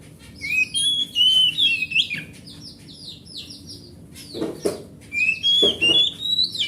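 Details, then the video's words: Oriental magpie-robin from the forest, big-bodied and kept at home, sings to prompt silent magpie-robins; rapid sequences of high whistles and sweeping trills, a quieter middle section, then thumping knocks before the fluent whistled song returns. "Suara Master Burung Kacer"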